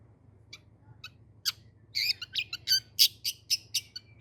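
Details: Long-tailed shrike starting with a few soft, scattered ticks, then breaking into a loud, quickening series of harsh, broad chattering notes, about four per second.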